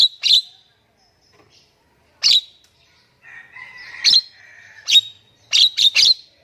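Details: Javan myna, sound used to lure silent mynas into singing: sharp separate chirps spaced by pauses, then a soft rasping phrase and a quick burst of three or four high notes.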